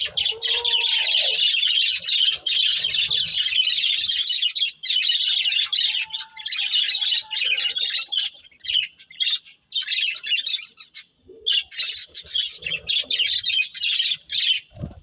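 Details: Breeding pair of budgies keeping up almost continuous buzzy chatter and warbling for many seconds, later breaking into choppier chirps, with a few faint lower tones and clicks.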